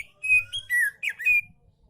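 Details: Oriental magpie-robin song aimed at reluctant singers: short phrase of clear flat whistles and falling slurs, about five notes in a second and a half.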